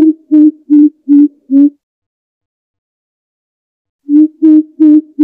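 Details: Greater Coucal (Centropus sinensis) breeding-season call, used as a trapping lure: deep, hollow hoots, five in quick even succession about two and a half per second, then a pause before the series repeats.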